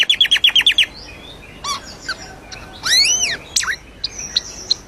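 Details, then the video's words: Asian glossy starling singing: a fast burst of about eight repeated clipped notes, then scattered squeaky whistles and a loud arched slurred note. "CEK BURUNG CUCAK KELING GACOR"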